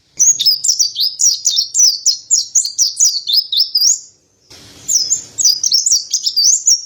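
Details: Chattering song of a mountain white-eye, the white-breasted pleci montanus: rapid high twittering notes with quick downslurs, a steady stream for about four seconds, a short pause, then the same bright warbling resumes.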